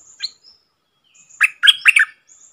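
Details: Bold wild red-whiskered bulbul singing at a caged decoy before departing. A short burst of loud chirpy warbled notes follows a faint earlier chirp, over a thin, steady high-pitched hiss or buzz in the background.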